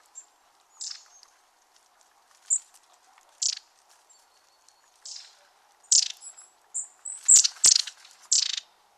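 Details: Long-tailed Tits calling as a flock, their calls and songs overlapping: thin, very high 'see-see-see' notes and short buzzy, mechanical churrs, repeated irregularly about every second; the sound that reveals a flock in the trees.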